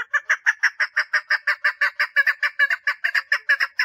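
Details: Loud, close mating call from a female chukar partridge: raspy chuck notes pour out nearly three per second in an unbroken, rhythmic chatter.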